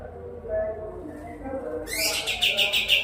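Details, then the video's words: Kapas tembak, a tutor bird for murai batu and contest birds: quiet low murmur for two seconds, then a sudden burst of sharp, rapid, high repeated notes. "Kapas Tembak Gacor"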